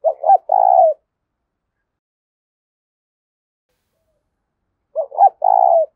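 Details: 'Thúc' cooing of a spotted dove, a style meant to draw wild doves in: two phrases five seconds apart, each two quick stuttered notes followed by a drawn-out vibrating coo, silence between.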